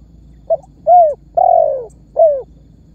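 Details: Spotted dove calling as a lure to draw answers from other birds: one full phrase of a brief soft note, a clear coo, a long husky falling coo and a closing short coo.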